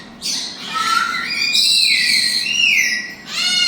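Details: A Meyer's parrot in a large indoor parrot-rescue bird room shared with Senegal, hawk-headed and African grey parrots gives a long, harsh, wavering squawk rising and falling over about three seconds, then starts a second rasping squawk.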